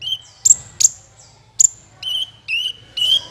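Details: Kolibri ninja sunbird lure for trapping: sharp high ticks alternating with longer, wavering whistled notes, over a faint low hum.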